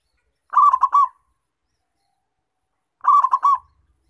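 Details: Two clipped, bubbling coo phrases of about four notes each, some two and a half seconds apart, from a local zebra dove calling strongly, used to lure wild doves.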